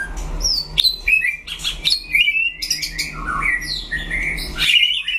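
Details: White-rumped shama singing against a rival in a duel, pouring out fast varied whistled phrases that leap between high and mid pitches, with sharp clicks and bright rolling notes throughout; a faint low hum in the background.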